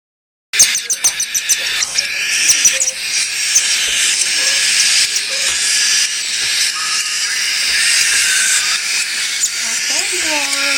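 Young cockatiels give harsh, hissing begging calls that rasp on and on while they are hand-fed.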